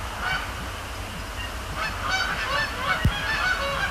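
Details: Canada geese at night at Sapsucker Woods Pond, Cornell Lab of Ornithology, 26 October 2017, during evening fly-overs and splash-downs: scattered nasal honks from several birds, a sharp click near the end, over a steady low rumble.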